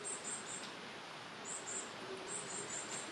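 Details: Varied tit nestlings begging: faint, very high, thin squeaky notes given in short quick bursts of two or three, several bursts spread through the clip, over a steady hiss of background noise.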